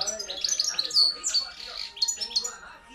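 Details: Loud song of a hand-reared European goldfinch, a junior field bird raised in 2013: quick bright twittering with high piercing notes and buzzy fragments, continuous throughout.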